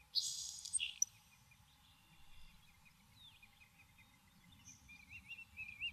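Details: Nelson's sparrow singing in a Maine saltmarsh: one brief, breathy hissing buzz like a sharp gasp, then quiet. Faint chirps and thin wavering notes from other birds follow.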